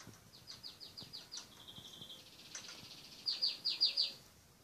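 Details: Pet cockatiel calling: a run of quick, high downslurred chirps, a brief steady whistle, then a louder burst of five sharp chirps, over faint background noise.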